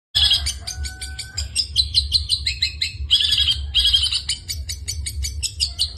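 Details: Long-tailed shrike singing in the vigorous 'gacor full isian' style: dense, rapid high chattering notes and buzzy bursts with a brief steady whistle near the start, delivered almost without pause.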